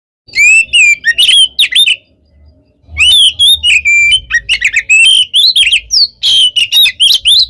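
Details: Oriental magpie-robin, a kept songbird, singing nonstop to provoke other birds: loud varied whistled phrases with rapid chattering notes, one short pause, then a dense continuous run.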